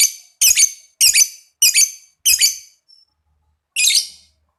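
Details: Caged lovebird used to prompt other lovebirds: five rasping, buzzy squawks in quick succession, then a brief pause and one more harsh call, each note bright and clipped.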